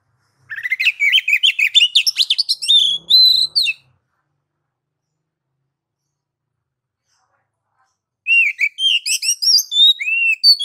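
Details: Oriental magpie-robin, called kacer, singing ngeplong-style master song to prompt other kacer: a three-second rush of dense, buzzy trilled notes ending in clear slurs, a long silence, then another rapid, varied whistled phrase.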